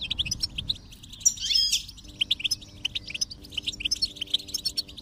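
Goldfinch song: rapid, tinkling twitters and liquid chirps, high-pitched and continuous, with a brief buzzy trill and faint steady tones beneath.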